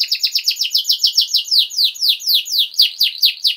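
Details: Pet canary in full 'gacor' song for tutoring youngsters: steady series of high, downward-slurred chirps about four per second, evenly repeated across the whole passage.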